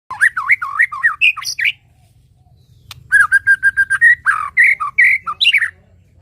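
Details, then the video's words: White-rumped shama song with a soft background of water: looping, fluting whistles with quick pitch swoops, a brief pause, then a rapid string of even clipped notes followed by varied rich phrases. "Suara KICAU MURAI BATU dengan Suara Air"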